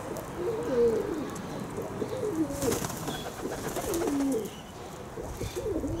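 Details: Kept pigeons cooing: low, throaty rolling coos that rise and fall, repeated in a steady series through the whole stretch, with a faint background hiss.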